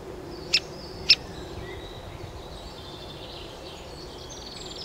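Great spotted woodpecker giving two sharp, clicking 'kik' notes about half a second apart, with faint high bird song in the background.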